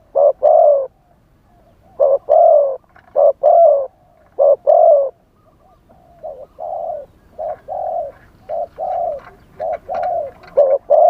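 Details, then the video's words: Decoy spotted dove in wild-style song, calling to lure wild doves. Loud short-long coo pairs come first, then a fainter, quicker series of similar coos follows in the second half, with light background hiss. "เสียงต่อนกเขาใหญ่ คารมป่า 100 % ต่อสด"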